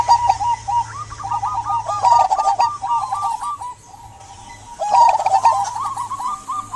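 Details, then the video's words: Local zebra dove in strong song, used to get silent doves singing; loud rolling sequences of short hollow coos, wavering up and down, with a quiet gap before the next burst. "Perkutut lokal gacor buat pancingan perkutut pendiam agar bunyi"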